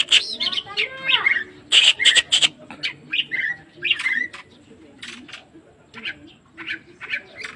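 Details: Oriental magpie-robin singing vigorously: a rapid jumble of harsh, scratchy broadband bursts mixed with short whistled and chattering notes in uneven groups, with a faint low voice-like sound near the start.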